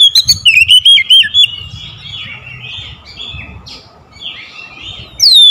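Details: Oriental magpie-robin singing as a lure for sluggish birds: a short string of loud, wavering whistled notes that opens the clip, soft scratchy warbling in the middle, and a bright upward whistle at the close.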